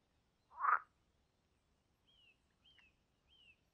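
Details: Common Kingfisher in Niepołomice Forest, Poland, July 2020: three thin, high, slightly falling whistles about half a second apart, after a louder, lower croaking sound.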